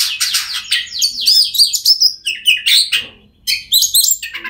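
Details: Oriental magpie-robin song played so quiet birds start singing: rapid, loud, scratchy and whistled notes in a tumbling stream, a short break, then high sharp chirps.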